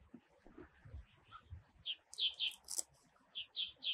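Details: Red-bellied thrush in Taiwan, a winter migrant of lowland to mid-elevation woods, usually solitary and often on the ground; a run of short high chattering notes repeated through the second half, some sharper higher squeaks mixed in.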